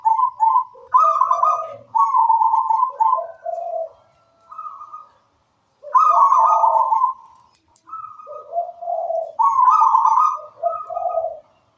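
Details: Zebra dove of local wild stock in full, lively song: repeated bursts of rapid, bubbling coos that step between higher and lower notes, with phrases returning about every four seconds.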